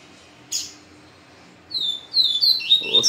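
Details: Captive capim seedeater brought face to face after a day near a female, singing a fast series of high, sharp whistled notes, each slurring downward, after a single click; faint hum behind.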